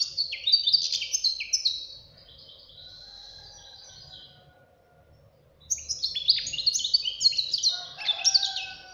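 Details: European goldfinch fledgling delivers two lively bursts of high, jangling twitters and buzzy notes, with a softer stretch in between and a low rumble in the background.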